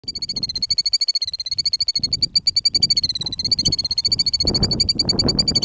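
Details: A parent killdeer near its cryptic nest in the middle of a gravel road calls to distract potential predators: a fast, steady trill of high, sharp notes that runs unbroken through the whole stretch, over low rumbling background noise.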